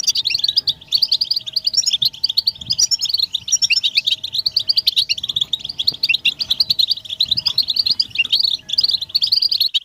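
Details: European goldfinches twitter as a group in a butbata meant to make males sing and break their silence. They keep up a steady, rapid, tinkling chatter throughout, with a faint hum underneath.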